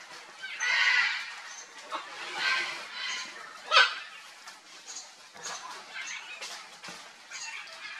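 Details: Harsh, broad, croaking squawks from a wild red-and-green macaw at ripe mango, several loud rasping bursts spaced a second or two apart, with faint high chirps between.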